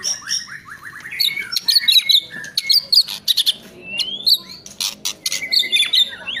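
White-rumped shama singing a rich, varied run of sharp whistles, rising slurs and rapid chattering notes, with quick broken phrases throughout.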